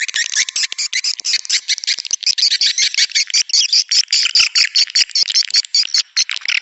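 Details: Swiftlet lure call made to draw in swiftlets, a continuous busy chatter of high, rapid chirps and trills with short gaps, steady throughout.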